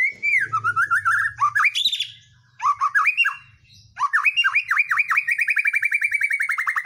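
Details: White-rumped shama song meant to spur other birds into singing: loud, varied whistled phrases with quick upslurs, a short break, then a fast run of repeated looping notes that steadily slows and drops slightly in pitch.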